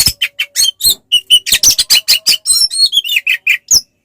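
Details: Oriental magpie-robin fighting song used to rile other magpie-robins into replying: quick, evenly spaced chirps and short whistled notes, some bright and rising, others rougher.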